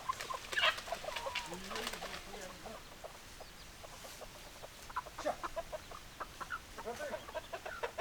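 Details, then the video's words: Domestic hens clucking: a run of short, throaty clucks with a few drawn-out, wavering notes near the start, then quick bursts of clucking in the second half, with faint voices in the background. "Chicken Sounds Noises Hens Clucking Roosters Crowing"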